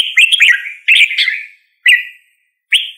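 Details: Red-whiskered bulbul singing loud, bubbly whistled phrases that warble up and down, a long run of notes followed by two short separate phrases with brief silent gaps between them.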